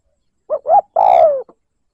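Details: Spotted dove lure call in the liêu lỡ cooing style, used to provoke wild doves: a soft short note, a hollow coo, then a long, level coo that slides downward at the end, with a faint final pip and no other sounds.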